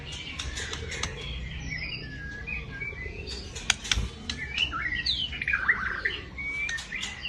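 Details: White-rumped shama in loud, harsh 'nembak kasar' singing, meant to run all day and spur other shamas to sing: varied whistled phrases and sharp rising notes, with quick clicks and a low steady rumble beneath.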